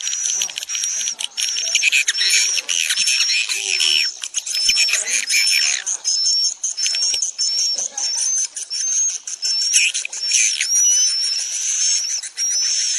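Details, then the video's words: Swiftlet calls for drawing the birds to roost in a building: continuous crackling, buzzy chatter with many short high chirps, plus small upward-flicking whistles repeated over and over. "Suara panggil burung wallet menginap"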